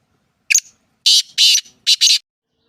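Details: Black francolin (kala teetar) calling: one short harsh note, then two long grating buzzy notes and a final rapid pair, a loud, rasping phrase with no other sounds.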